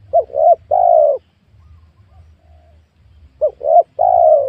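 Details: Spotted dove cooing on freshly cleared land with young oil palms, where wild doves are being lured; two phrases about three seconds apart, each two quick coos followed by one long descending coo.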